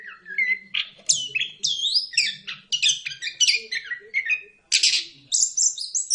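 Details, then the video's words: Continuous varied orange-headed thrush song played to coax quiet birds into singing, a rapid jumble of rich whistles, sharp upslurs and buzzy high notes with almost no pauses, faint low hum beneath. "Pancingan anis kembang biar ngeplong, solusi burung malas bunyi"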